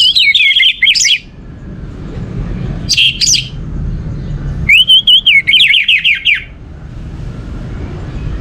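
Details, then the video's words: Orange-headed thrush song used to stimulate other birds: three loud whistled phrases of wavering, warbled notes, each lasting about one to two seconds, separated by quiet gaps with faint low hum. "Setiap kali putar sekali Pancingan Burung Anis Merah ini untuk merangsang burung lain jadi gacor"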